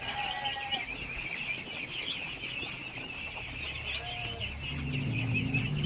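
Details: Masses of baby ducks at feeding time fill the air with a steady wash of shrill peeping, many birds calling at once, while a low droning hum grows louder toward the end.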